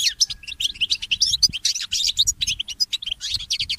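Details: A goldfinch hybrid (mule) sings in the early morning, a steady rush of high twittering notes and clipped chirps, bright and unbroken, over soft low noise.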